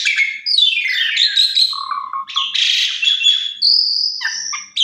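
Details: Asian pied starling lure song, full of fill phrases, aimed at making other starlings sing: slurred falling whistles, low chattering rattles, a harsh buzzy burst, then a drawn-out high whistle and quick clipped calls.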